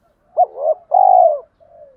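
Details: Male and female spotted dove calling to excite trained birds: a sharp short coo, a wavering middle note, a long low falling coo, then a faint trailing murmur.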